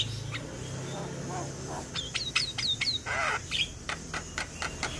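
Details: Male Javan myna singing a lure song meant to draw other mynas into song: a few clear downslurred whistles repeated near two seconds, a harsh rasping burst, then scattered sharp clicks over a low background hum.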